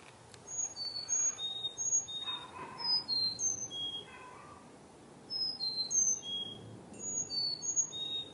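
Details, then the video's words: Chickadees singing among colorful autumn trees in a backyard, fall 2021: bursts of thin, pure, high whistled notes, several stepping downward in pitch, coming in phrases about every one to two seconds with quiet gaps between. "Chickadees serenading on Autumn colorful trees!"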